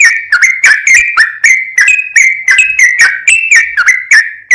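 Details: Sooty-headed bulbul training song in 'full ropel' style, a steady stream of bright, ringing whistles with crisp clicking starts, some rising and some dropping, about three per second.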